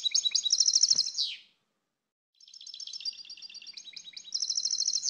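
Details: Goldfinch twittering in fast rolling bursts of high, tinkling notes, a pause, then a long steady stream of bright chattering song that grows louder toward the end.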